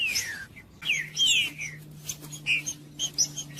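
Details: Green-winged saltator song played to warm up a cold bird: a few sweet downslurred whistles at the start, then softer scattered notes over a steady low electrical hum.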